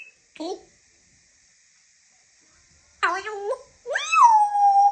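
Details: African grey parrot talking: a brief voiced sound, a pause of about two seconds, then longer word-like phrases with sliding, voice-like tones, ending in a drawn-out falling then level vocal note.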